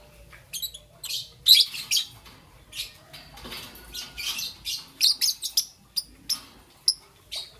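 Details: Young green and yellow peach-faced lovebird in the morning: high scratchy chirps, a loud cluster early, then short squeaky notes at irregular intervals.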